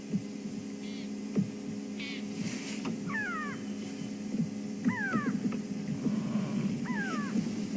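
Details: On a sunrise safari drive in a reserve on 16 June 2015, a grey go-away-bird (Crinifer concolor) calls in the background with nasal, falling 'kweh' notes in short bursts about every two seconds, over a steady low engine hum.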